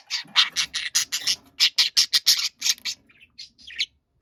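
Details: Loud, angry shouting of a pet budgerigar: a fast, uneven series of harsh, piercing squawks, several a second, easing into a few softer chirps at the end.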